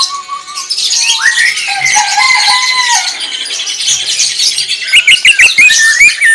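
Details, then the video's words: Greater green leafbird giving 'tembakan' style song: drawn-out rising and wavering whistles at mid pitch over busy high chatter, ending in quick sharp notes and looping whistles. "BURUNG CUCAK IJO CEPAT GACOR SUARA TEMBAKAN"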